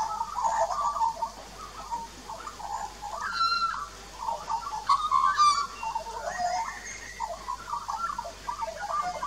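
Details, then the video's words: An adult and juvenile Australian magpie perform a duet at a backyard birdbath in Australia, filmed 2 March 2018 using a Nikon Coolpix P900: dense, continuous mellow warbling with occasional sharp chirps and rising whistled notes. "Australian Magpies Duet"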